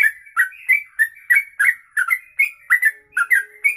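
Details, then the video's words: Sooty-headed bulbul in long 'kongslet ropelan' song, meant for tutoring songbirds: quick run of rich, slurred whistles rising and falling, roughly three notes a second, unbroken, on a quiet background. "Trucuk Kongslet Ropelan Panjang"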